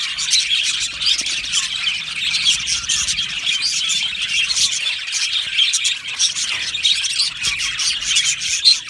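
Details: Budgerigar aviary colony singing and chirping: busy high twitters and chirps pulsing in uneven bursts, with squawky accents among the steady chorus.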